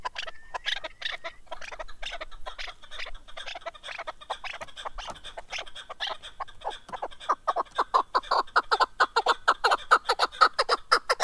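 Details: Male Chukar partridge (keklik) kept for hunting, recorded in 2021: a loud run of sharp, dry clucking notes that speeds up into rapid, evenly spaced chuk-chuk pulses, about two per second, growing louder toward the end.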